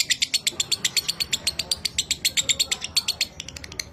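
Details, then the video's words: A caged 'minor kering' lovebird, recorded as a master for training other pet lovebirds in the 'dobelan' style, delivers an even chatter of clipped high chirps, about seven a second, slowing slightly near the end. "Masteran Suara Lovebird Minor Kering, Terbukti Cepat Cetak DOBELAN"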